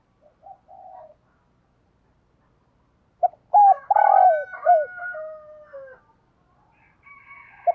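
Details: A decoy spotted dove calls to wild doves in the morning; soft coos open, then after a pause a loud phrase of short coos and a long falling coo, with overlapping fainter calls afterwards.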